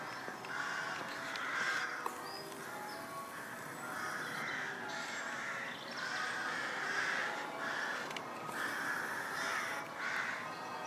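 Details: Rooks near St Mary's church in Pulford, Chester, England: a rookery chorus of hoarse, drawn-out caws overlapping continuously, some louder nearer birds rising above the rest, with a faint steady high whine in the background.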